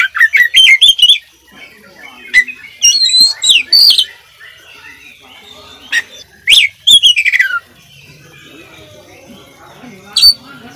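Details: Lively oriental magpie-robin pours out a fill-in-rich tutor song: a fast rattle of sharp notes, then whistled slurs sweeping up and down, another rapid burst mid-way, and a lone chip after a quiet stretch.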